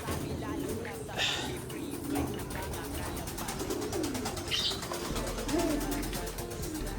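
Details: Racing pigeon cooing: low, soft, rolling coos repeated about every one and a half seconds over steady background hiss, with a few sharp higher clicks and rustles.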